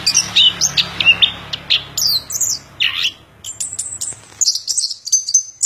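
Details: An orange-headed thrush pours out a fast run of high chirping notes, one deeper rasping note, then thin sustained high whistles.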